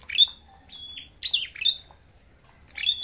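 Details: Red-headed flowerpecker in fighting song: a few high, sharp phrases mixing a sustained thin whistle with rapid descending chips, then a short silence before one more burst.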